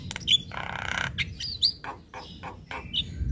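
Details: Javan myna master song meant for young birds: a sharp whistle, then a long raspy buzzing note, followed by scattered harsh chacks and brief thin whistles at uneven intervals, with low steady background hum.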